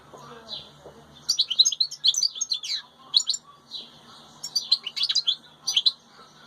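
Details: European goldfinch of the wild type, with its chicks, giving bright tinkling twittering phrases in short high bursts separated by brief pauses, over faint background hum.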